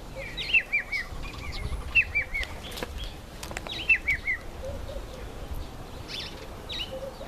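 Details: Red-faced mousebirds in a nectarine tree: three times, a series of three or four whistled notes steps down in pitch, about every two seconds, with soft wing flutters and low background rumble.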